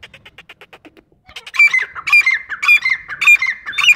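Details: Grey francolin, called dakhni teetar: after a second of soft, rapid chattering notes, loud shrill ringing calls start and repeat in quick succession, each a high harsh phrase with a slurred tail, close and dominant.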